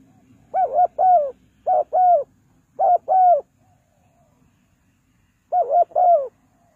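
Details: Spotted dove calling birds down in the 'kuk 2 kuk' pattern: four paired hollow coos, each pair of two even, slightly falling notes, then a pause and a final pair, over a faint low hum.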